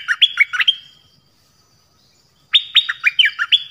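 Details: Nok dok taeng singing a 'phleng boen' song for young birds to learn. Two bursts of rapid, clear whistles rising and dipping, separated by more than a second of silence.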